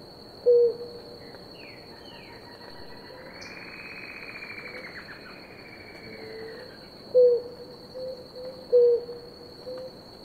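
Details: Blue ground doves, a pair drinking water; scattered short low coos at the start and near the end, while another bird gives rising and falling whistled sweeps in between, over a high steady drone.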